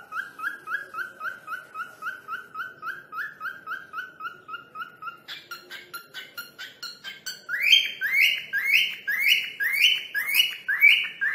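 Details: Cockatiel whistling a person's name: a long regular run of quick upslurred notes, a brief burst of scratchy chirps, then louder, higher rising whistles spaced about half a second apart.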